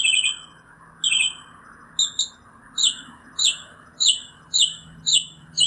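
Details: Singing Northern mockingbird gives a quick series of short downslurred chips and notes, about two a second, varying slightly in shape, over a soft steady background noise.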